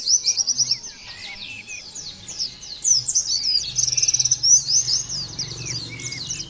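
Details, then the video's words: Oriental white-eye song used to prompt other white-eyes to sing: continuous high, rapid twittering with sliding notes and quick chirp runs, several overlapping phrases, a faint low hum underneath. "terapi pleci bikin nembak mudah di tiru langsung ngotot bunyi"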